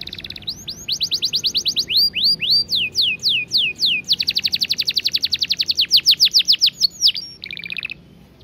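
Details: Canary singing long and clear: rapid notes, a string of looping upward-curving whistles, a fast dense rattle of repeated notes, and a final short buzzy phrase.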